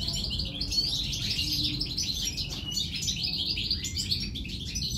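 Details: European goldfinch chicks from three nests begging while being fed; dense, continuous high twittering and chirping over a steady low rumble.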